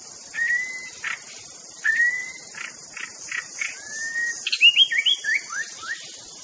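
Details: Rival-provoking master song of a white-rumped shama: long, level, pure whistles broken by short bursts. Rapid swooping, descending phrases follow. Steady high insect buzz throughout.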